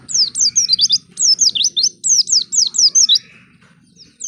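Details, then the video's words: White-eye singing as a lure to get other white-eyes to sing: fast, high, slurred twitters in tight bursts, followed by a fainter, lower trailing note and near silence before one more burst. "Pancingan Pleci Paling Handal Bikin Pleci Bahan Cepat Bunyi"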